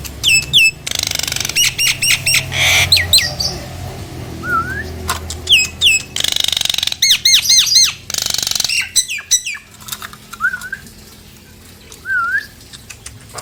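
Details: Nias hill myna as a lure for reluctant mynas: clusters of loud arched ringing notes and harsh noisy squawks, separated by pauses, plus a few soft looping low whistles near the end.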